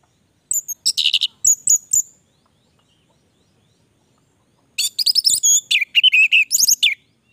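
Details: Two dense bursts of rapid, varied chattering and twittering notes from an orange-headed thrush, sung in gacor style. A long silent gap separates the second, longer burst from the first.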